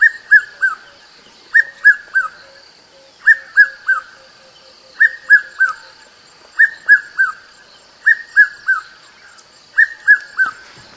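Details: Red-chested cuckoo, known in South Africa as Piet-my-vrou, repeating a three-note descending whistled phrase about every 1.7 seconds, with a steady high hum and faint other bird notes behind.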